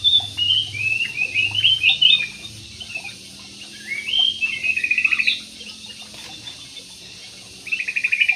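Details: Jumbo budgerigars kept in an aviary, giving bursts of high, warbling chirps and scratchy chatter that rise and fall, in several separate runs with short quiet gaps between them.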